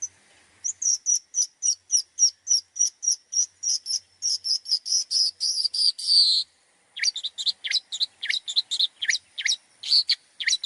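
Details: Mimicry song of a long-tailed shrike, played to train other songbirds. A long even series of high, sharp chirps, about three each second, ends in a dense buzz, then rougher scratchy notes follow.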